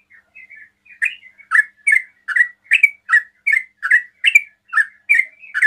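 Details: Fast 'ropel' song of a sooty-headed bulbul, used to provoke answers from other bulbuls: a few faint notes, then from the first second a rolling series of loud, gurgling slurred notes, roughly two per second.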